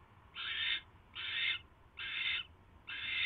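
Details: At the nest at night on 22 January 2016, a barn owl delivering a mouse gives four loud, hoarse hissing screeches, each about half a second long, spaced about 0.8 seconds apart against faint low noise.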